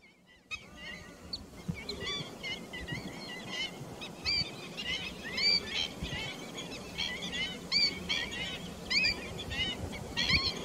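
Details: Pheasant-tailed jacana recorded 28 July 2021, giving quick, nasal, mewing notes that rise and fall, bunched irregularly almost once a second, over a steady low rumble.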